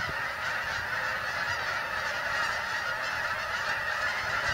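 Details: Geese on migration descend into Bombay Hook National Wildlife Refuge, Delaware, USA, their many honking voices merging into a thick, constant clamour, with a few faint low thumps beneath.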